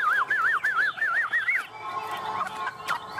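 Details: Chinese hwamei, tame and perched on a hand, sings a fast chain of looping, wavy whistled notes for about a second and a half, then fades into a noisy background with faint murmuring.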